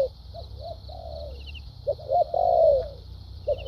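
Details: Spotted dove kept as a decoy bird, delivering 'thúc gù' and 'lèo dặm' cooing: short looped coos leading into a long, loud, gently falling drawn-out note, then a clipped coo, against a faint continuous high hum.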